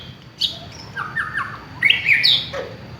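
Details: White-rumped shama from a village, singing as a lure: a few clear flat whistled notes and sharp high chirps spaced across a short phrase, with low background hum.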